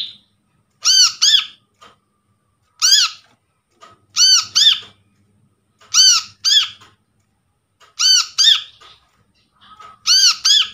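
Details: Wild-caught brown-throated sunbird (kolibri kelapa) calling, used as a lure for birds that have stopped calling. Six bursts of loud nasal squawks, mostly in quick pairs, spaced about 1.5 to 2 seconds apart, in a quiet room.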